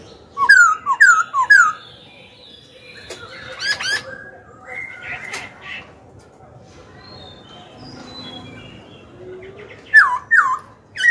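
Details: Black-throated laughingthrush song for provoking rivals and training young birds: three quick looping whistles open, followed by scattered softer notes, clicks and a quiet low murmur, then loud whistled phrases return at the end.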